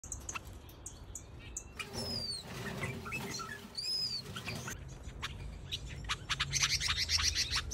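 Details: White-eared bulbul in an outdoor mixed aviary: scattered sharp chirps, two thin high whistled notes sliding downward, then a quick burst of dry chips, over a low background rumble.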